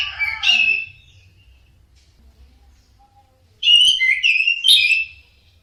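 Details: Orange-headed thrush giving a short whistled phrase, then after a long silence a longer burst of varied, slurred whistles and buzzy notes.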